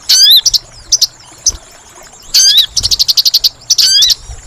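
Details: Sooty-headed bulbul lure call used for trapping: loud, harmonic notes swooping down then up, alternating with rapid bursts of sharp, high chattering pulses, repeated in quick succession.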